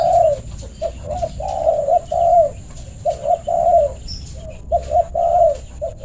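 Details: Trained decoy spotted dove calling others to play: low, mellow cooing phrases in short bursts, some pairs and triplets of notes, with brief pauses between groups; faint steady high whine and soft background murmur throughout.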